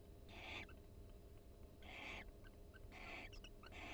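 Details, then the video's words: Barn owl pair calling quietly inside a nest box at the University of Florida while preening each other: three short, raspy, hissing bursts about a second apart, with faint clicks between, over a low background hum. "Sweet Conversation: Barn Owl Pair Chats and Preens Inside the Nest"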